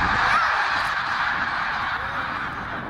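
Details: Tens of thousands of snow geese calling together on spring migration north at Middle Creek, Pennsylvania, 2023. The sound is a steady wall of countless overlapping honks, loud throughout and easing slightly toward the end.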